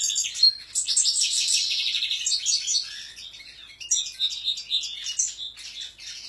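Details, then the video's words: European goldfinch delivering a fast, high-pitched twittering song of tinkling chirps and trills, loud at first, then softer scattered notes before a final run of bright chatter. "Jilgueros pegando"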